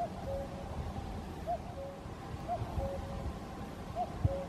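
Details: A far-off common cuckoo (Cuculus canorus) sings at Caldones, Gijón, Asturias, Spain, on 8 May 2021, giving its two-note cu-coo, a higher note falling to a lower one, three times about 1.5 seconds apart over a low background rumble.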